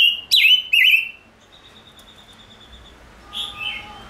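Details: A five-coloured bird, chim ngũ sắc, gives two strong, bright whistles that bend down and then up. A quiet pause follows, then softer twittering notes close the recording.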